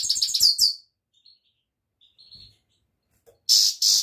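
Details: European goldfinch ending a quick high twittering run, then thin soft notes, then two loud harsh rasping bursts.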